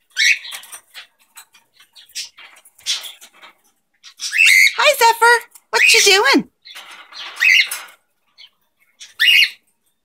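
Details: Two cockatiels at home during their usual morning routine give short, high, scratchy chirps and squeaks in scattered bursts, with a person talking to them in a high, sing-song voice partway through.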